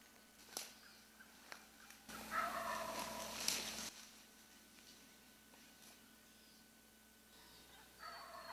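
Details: Wild Turkey in Cleveland National Forest, Southern California, May 2004, sneaks up on a hunter calling on public land and gobbles once: a loud, rapid rattling roll lasting nearly two seconds, amid faint clicks, steady hiss and a brief call.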